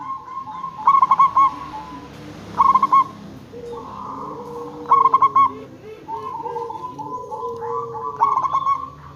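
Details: Local zebra dove lure call intended to draw replies from other zebra doves: four short bursts of rapid throaty coo notes spread over nine seconds, amid continuous humming tones and softer lower notes.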